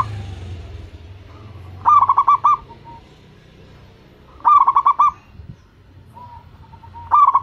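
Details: Bubbling song of a local zebra dove, a lure bird that prompts other doves to call back: three phrases of quick rolling coos about two and a half seconds apart. Soft single coos follow the phrases, with a low rumble at the start.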